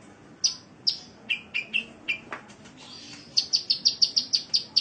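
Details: Indonesian cage-bird training recording of a sunbird: separated high and mid-pitched chirps, then a fast, even series of bright, sharp notes at about five per second.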